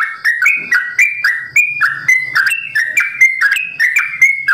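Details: Captive sooty-headed bulbul of the simbar jati variety, kept at a bird farm, giving its long rapid 'ropel' song: a fast run of clear whistled notes stepping up and down, with a faint low hum beneath.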